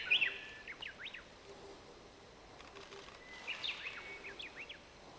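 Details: White-backed woodpecker (Dendrocopos leucotos) at the nest while raising young, calling in two brief clusters of squeaky, high chirping notes about three seconds apart, over quiet outdoor background noise.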